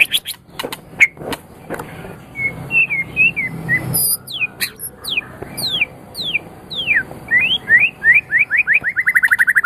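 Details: Medan white-rumped shama, a contest champion, recorded to get other birds singing: sharp clicks and scattered whistles open the song, then a quickening series of downslurred whistles that ends in rapid, evenly spaced notes.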